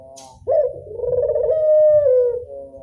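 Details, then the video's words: Single drawn-out coo from a local Barbary dove in classic style, starting with a sharp onset, vibrating through the middle and sliding gently lower at the end over low hum. "Angungan burung puter lokal suara klasik"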